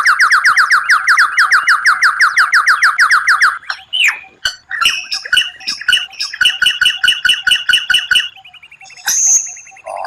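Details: White-rumped shama, or murai batu, performing rare 'tembakan': a long rapid rattle of about twenty-five notes, then clicks and quick chattering.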